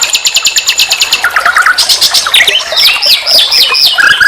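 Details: Nightingale singing for a songbird tutoring recording: a rapid even series of repeated notes, then a short low trill and looping upslurred whistles repeated in quick succession.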